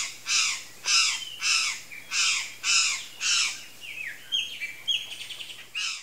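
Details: Palm tanager producing a run of grating, buzzy notes about twice per second, then a quicker chatter of thin, slurred squeaky notes, ending with one more rasping note.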